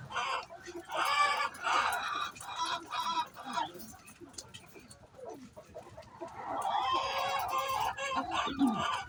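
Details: Pre-laying hen noise: bursts of loud, harsh squawks in the first seconds, a quieter stretch of low clucks, then a long drawn-out cackle toward the end.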